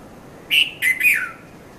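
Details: Three clear whistled notes from a red-vented bulbul at Mount Lavinia, Sri Lanka, recorded from 5:30 to 5:40 in the morning; the phrase ends in a long downward slur against a calm background.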